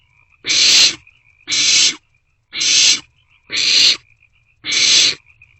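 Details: Barn owl chicks in a nest box between 1:47 and 2:06 am, 27 March 2024, trading a meal; five even, breathy screeches of about half a second, one each second.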